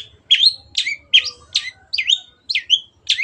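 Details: Long-tailed shrike (cendet) singing vigorously in a clear voice, a training recording for kept songbirds: eight harsh, buzzy phrases, each a rising note then a swooping downward slur, about every 0.4 seconds, with a faint low hum behind.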